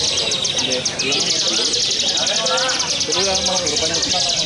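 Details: Bar-winged prinia (ciblek) at a songbird competition pours out a rapid, high, buzzy chatter of repeated notes without pause, singing continuously throughout the contest, over a murmur of human voices and background noise.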